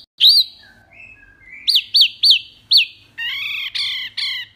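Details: Mini wambi singing clearly as a master bird for songbird training: a strong hooked whistle, soft low notes, four ringing up-and-down whistles, then harsher nasal chattering notes at the end.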